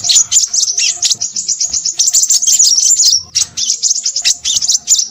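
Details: Excited Crimson sunbird pouring out rapid, very high, scratchy twitters, nearly continuous with one short break after three seconds.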